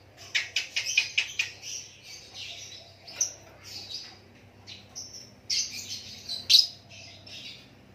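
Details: White-rumped shama singing naturally: bursts of sharp, high chirps and short whistled phrases separated by brief pauses, with a louder ringing note near the end over a quiet background hum.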